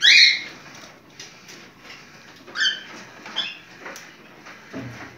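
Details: Cockatiel in breeding condition giving a mating call: a loud harmonic screech at the start, then shorter chirps near the middle, ending in a low scratchy rustle.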